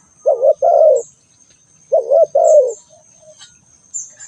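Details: A spotted dove calls twice, each phrase a low rising note joined to a longer, mellow falling coo, about two seconds apart. Faint high chirps follow, and a steady thin high whine runs throughout.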